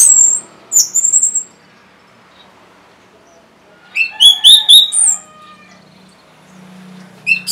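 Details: An orange-headed thrush, as a prompt track for reluctant caged birds, gives a brief high slur, then after a silence a rich phrase of rapid whistled notes with a lower warbled trail.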